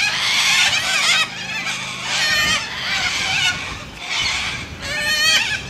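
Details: Raucous white cockatoos in Australia let out harsh, rasping squawks in uneven bursts, some ending in sharp rising shrieks, with a low hum in the first half.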